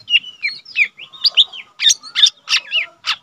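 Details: Lesser green leafbird, a young cage bird kept as a singing tutor, giving a quick series of clear whistles that slide up and down, then louder sharp chip notes roughly every quarter second.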